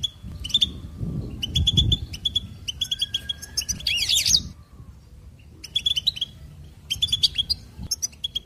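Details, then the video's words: Goldfinch twittering in quick metallic runs, interrupted by a loud rising-and-falling buzzy trill, then resuming after a short silence; low rumbling background. "Motivational insights From Goldfinch Teaching Life's Lessons"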